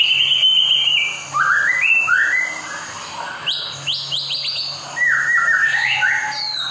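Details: Song of a white-rumped shama used to get reluctant caged birds singing; rich varied whistles stepping down and up in short phrases, with rapid high rising flicks in the middle and light background hum.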